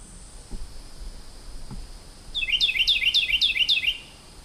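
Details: A Carolina Wren singing in a forest at a campsite sings a quick run of about six loud, ringing, rolling phrases in under two seconds, over a faint steady insect hum and a few soft thumps.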